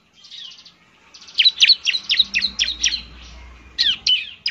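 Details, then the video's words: Bar-winged prinia song used as a lure: an opening buzzy trill, then a run of loud high chirps that sweep downward, a short pause, and a few more chirps, with a faint low hum. "pancingan suara ciblek semi gacor"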